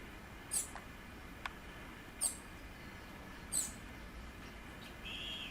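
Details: A bananaquit (Coereba flaveola) in nature gives three very high, thin, sibilant notes, about one every one to two seconds, over a steady wash of background noise.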